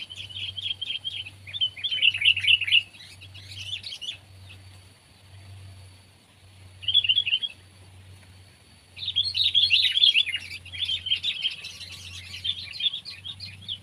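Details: Sooty-headed bulbul (Pycnonotus aurigaster), compared as pet and wild bird in Indonesia, giving bursts of bright chirpy notes around mid-high pitch, grouped in phrases with pauses between, over a steady low hum.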